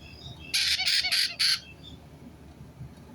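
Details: White-bellied caique parrot letting out four loud, harsh, noisy screeches in rapid succession within about one second, followed by quiet background.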